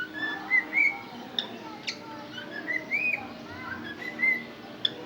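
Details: A cockatiel (Nymphicus hollandicus) whistles short, clear notes that slide up and down, repeated with brief pauses.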